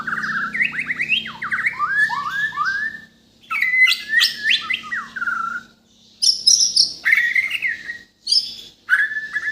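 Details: White-rumped shama from Borneo, native to Kalimantan, singing a full mimicry-rich song: series of quick rising whistles, a tumbling warbled run, then loud buzzy chatter and clear whistled phrases.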